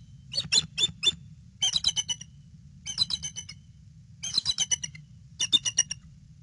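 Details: Bald eagle on alert at a nest holding eggs, filmed by a nest camera on 22 February 2016 at 5:50 PM; five bursts of high, piping, stuttered notes, each a rapid chatter of three to eight clicks, over a steady low hum.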